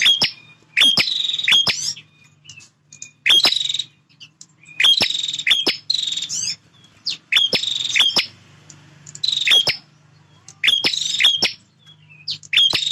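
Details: Very active male bar-winged prinia defending its territory: about seven loud buzzy trills with clicking notes, spaced a second or two apart. A low, steady hum sits in the background.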